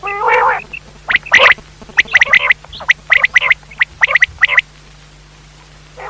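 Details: Night-time quail call from Pakistan used in hunting: a throaty nasal burst opens a rapid run of clicking, chattering notes in clusters, then quiet with a final brief note.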